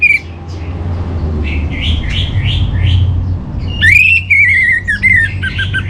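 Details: Orange-headed thrush song from northern Bali, used to settle caged birds: soft varied chirps over a low hum, then a loud sweeping whistle and a run of rippling, slightly descending warbled notes.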